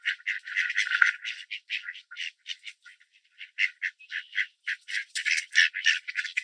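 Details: Mallards in Southern Ontario, Canada, males quacking loudly and chasing others feeding on scattered bird seed on grass; harsh, raspy quacks in quick uneven runs, about three notes a second, several birds overlapping with brief pauses.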